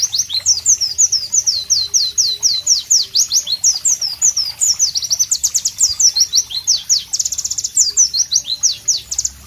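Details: White-eye (Pleci) in loud, sharp, melodious masteran-style singing with tropical ambience: a rapid, continuous stream of high, thin, sweeping whistled notes, many falling then rising, delivered several per second without pause.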